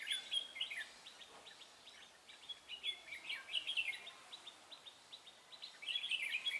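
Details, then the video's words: Decoy Red-whiskered bulbul used for trapping on 23 March 2018, giving rapid-fire ché-style song: quick runs of short, high chirping notes, repeated in bursts, quieter in the middle, against faint background noise. "Bẫy chào mào Mí lửa Bắn như AK ché rát"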